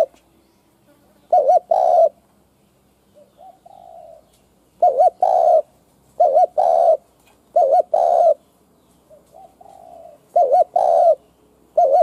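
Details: Decoy spotted dove kept to lure other doves, cooing in repeated phrases of a rapid double-warbled note then a drawn-out coo, with softer, shorter murmured coos between some phrases and a faint background hum.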